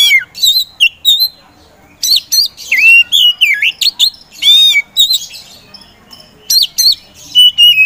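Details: Caged Oriental magpie-robin of the poci type, used as a provoker so reluctant songbirds start singing, produces varied loud whistles, twisting slurs and raspy chatter in bursts with brief silences between them.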